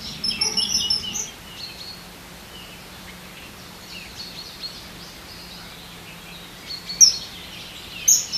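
Common kingfisher giving thin, shrill, high whistles in a quick burst at the start and again near the end, over a steady low hum.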